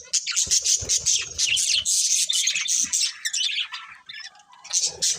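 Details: Loud, dense warbling from a breeding pair of colourful budgerigars: rapid scratchy chirps and buzzy twitters running almost without pause, tapering to softer notes before a final burst.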